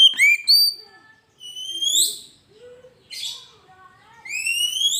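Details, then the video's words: Kacer, the Oriental magpie-robin, in gacor master and lure song: sharp upslurred whistles at the start, a soaring rising note, a harsh buzzy burst, then fresh rising whistles at the end. "Suara burung Kacer gacor masteran pancingan suara burung kacer"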